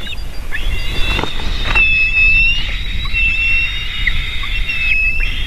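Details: Female eagle calling on landing at the nest while eaglets cry before feeding, recorded 7 June 2023 in late afternoon; long thin whistled tones held steady and slightly wavering, overlapping, with some low rumbling background noise.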